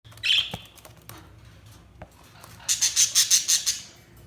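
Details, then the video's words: Budgerigar chirping: a high squawky note, then a fast run of about eight sharp, evenly spaced high chirps near the end. "Budgies Chirping sound"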